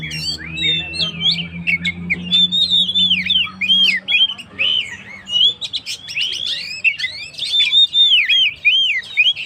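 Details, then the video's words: Oriental magpie-robin singing loudly to stir up stressed birds: a long flow of swooping whistled phrases and crisp chips, with a low steady hum during the first seconds. "suara burung Kacer gacor"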